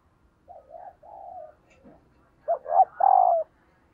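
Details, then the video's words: Female dove calling to stimulate males: low, hollow cooing in two phrases, first a pair of soft coos, then after a pause a louder run of three coos, the last one drawn out and slightly falling, against a quiet background. "Tiếng Chim Cu Mái kích Trống Hiệu Quả"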